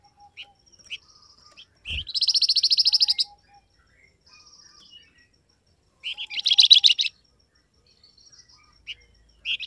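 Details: Flamboyan (grey-headed canary-flycatcher) call to make wild birds answer back: sparse high peeps, a sustained, rapid, buzzy trill over a second, then a shorter stronger burst and faint notes.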